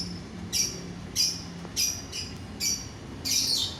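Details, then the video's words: Lovebird calling, used to get other lovebirds singing: short, high, scratchy chirp bursts repeated roughly every half to three-quarters of a second, the last one longer and busier. "DENGAR SESAAT SAJA, bikin lovebird yang lain ikut bunyi"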